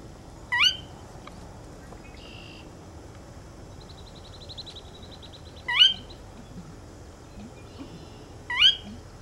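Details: Sora giving three short, sharp, rising whistled notes spaced about three seconds apart, each with bright overtones, over a steady quiet background with a faint buzzy trill from another caller in between.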